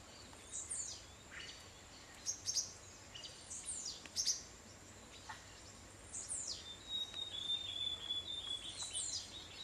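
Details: Green-tailed Jacamar in Paramaribo, Suriname, giving thin, high whistled notes, some sliding down and some rising, in short bursts every one to two seconds over a steady insect hum.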